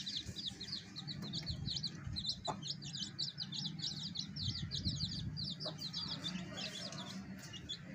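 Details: A brood of baby chicks with their hen, peeping nonstop in high, sharp cheeps several times a second, a steady chirping carpet over faint low rumble and two soft taps.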